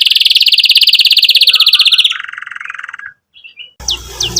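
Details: Canary singing vigorously, used to stimulate juvenile canaries to learn song and as therapy for birds that stopped singing. A rapid buzzy trill runs two seconds, slips into a lower rattling roll, pauses, then ends with bright upslurred chirps.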